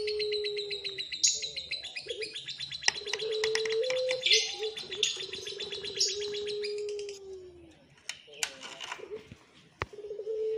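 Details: Young Barbary doves of the puter pelung type, lively and noisy after being fed until full; long, low, steady humming tones recur beneath dense, rapid high chirping and ticking that fills the first seven seconds before fading to sparse sharp clicks.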